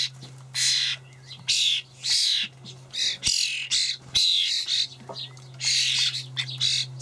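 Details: Begging juvenile common starlings, Hamburg allotment garden, 28 May 2012, parents delivering dried buffalo worms: repeated hoarse, hissing screeches of varied length, several bursts per second, almost continuous and loud.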